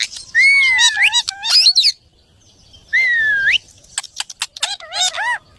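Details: Pet parrot calling: long loud whistles that rise and bend, broken by harsh scratchy notes, a pause, another long rising whistle, then quick warbled chirps and clicks.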